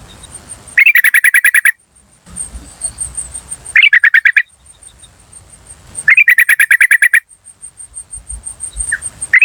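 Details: Wild yellow-vented bulbul call as a lure for birds in forests and gardens: three dense bursts of rapid, scratchy cuk notes, each about a second long and roughly two seconds apart, over a steady thin electronic whine.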